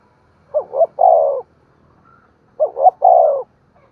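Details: Spotted dove cooing to stimulate other doves to coo: two low, mellow phrases, each a pair of short hooting notes followed by a longer, slightly falling coo, separated by about two seconds of quiet.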